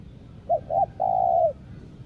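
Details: Spotted dove kept as a decoy for luring wild doves, Lombok: two short cooing notes followed by one long, level, falling coo, a single phrase over a soft low background rumble.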